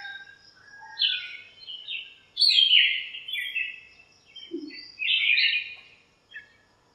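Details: Birds squabbling and calling in a lemon tree in a home backyard on a cool sunny morning. Loud, quick twittered phrases come in separate bursts, with a faint low note between them.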